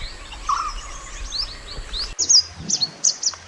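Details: Natural mountain white-eye singing as a training master: quick, high, chattering phrases of sharp upward-swept notes, fast and busy, against a faint hiss.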